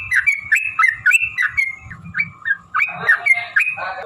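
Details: Long fighting song of a yellow-vented bulbul, meant to goad other birds to sing: rapid chattering whistled notes, rising and falling, delivered in a quick uneven series, ending in a harsher burst of tangled notes; soft low thuds underneath.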